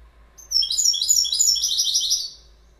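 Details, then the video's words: Goldfinch singing a fast, glittering run of high chirps and short trills for nearly two seconds, the notes tightly packed and jangling, framed by quiet before and after. "Goldfinch Bird Sound"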